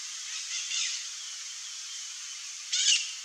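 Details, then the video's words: A glittering-bellied emerald (Chlorostilbon lucidus) hummingbird sings thin, high, scratchy notes, first faint and then a brief buzzy burst near the end, over a quiet background hiss. "GLITTERING-BELLIED EMERALD singing"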